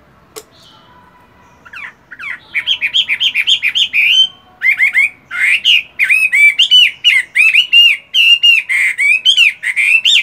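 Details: Caged Chinese hwamei in moult, practising its voice in the morning: after a faint opening note, a long stream of loud, rich whistled notes repeated rapidly, slurring up and down in quick varied phrases.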